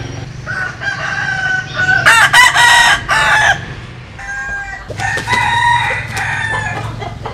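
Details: Cockerels crowing, Vietnamese and American Sil roosters: a distant crow is followed by a loud, strident crow in several syllables, then another crow further off, over a constant low rumble.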